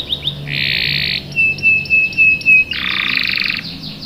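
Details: Canary lure song meant to prompt young birds to join in: a couple of quick chirps, a dense buzzy roll, a long steady pure whistle, then another harsh buzzing roll.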